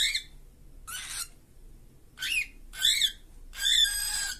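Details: A caged pair of cockatiels makes a rapid series of harsh, buzzy screeches and wavering squawks, five bursts in about four seconds, growing louder toward the end.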